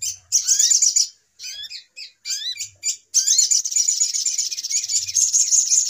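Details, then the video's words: Lure recording of spiderhunter for bird trapping: bursts of high, fast chattering broken by short gaps, with several rising slurred whistles between bursts, then a long continuous chatter to the end. "Suara Pikat Ribut Burung Sogok Ontong"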